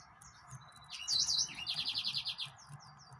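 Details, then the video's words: Yellow-fronted canary giving a sweet, swooping warble that runs straight into a rapid trill of about seven identical high notes. A constant low hum continues in the background. "طائر الياسمين كنار الموزمبيقي GreenSinger"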